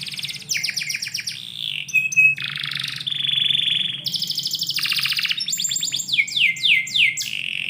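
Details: Morning canary song recorded indoors: buzzy rolls, short clear tones, a long harsh buzz, and a closing run of falling swoops, with a soft steady hum beneath.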